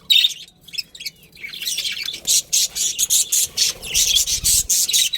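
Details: Colony budgerigars, a breeding pair, starting with soft warbles, then building into a steady series of loud scratchy chirps repeated several times per second.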